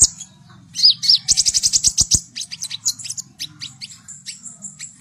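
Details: Javan white-eye song meant to coax young birds into singing: a few sharp high whistles, then a fast run of about a dozen even chirps, then looser scattered twittering over a low steady hum.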